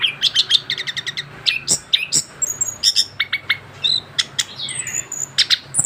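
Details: Recently moulted young orange-headed thrush of a mutation form singing nonstop: fast series of sharp chirps and clipped whistles, a downslurred rasp toward the end, steady rhythm throughout.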